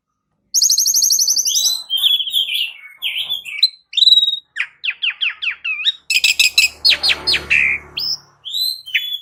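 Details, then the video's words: Asian pied starling in a singing-lure recording, beginning with a fast high rattling trill, then squeaky slurred notes and a series of sharp downward whistles, followed by loud harsh chatter. "Cukup 1 Menit Pancingan Jalak Uren Jadi Gacor 💥Masteran Jalak Uren Suren"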